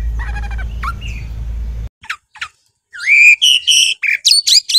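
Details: Oriental magpie-robin (kacer) from a hobbyist's collection, singing. A few notes sound over low rumbling noise. After a pause come two short clicks, then loud rising whistles and fast bright chirping phrases.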